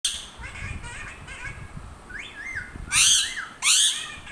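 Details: Parrot calling: soft, rising whistled notes build for a few seconds, then give way to two loud, harsh squawks close together near the end.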